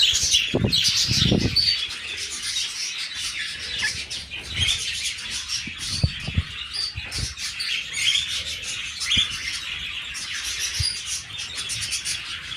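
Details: Cockatiel father and son in steady high chattering and chirping, overlapped by several low knocks and rustles, possibly movement or wing flaps, spread through the recording.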